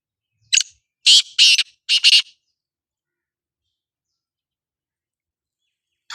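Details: Black francolin calling: one harsh, scratchy note, then two grating double notes in quick succession, with a short silence before a final faint burst.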